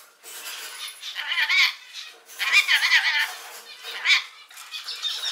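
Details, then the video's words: Pet rainbow lorikeets indoors, mediating a fight and mimicking the owner's catchphrase, chatter in bursts of raspy, squeaky notes with wavering speech-like syllables, about three phrases in five seconds. "ケンカの仲裁・飼い主の口癖をものまね ゴシキセイガイインコのお喋り Lorikeets mediate fights"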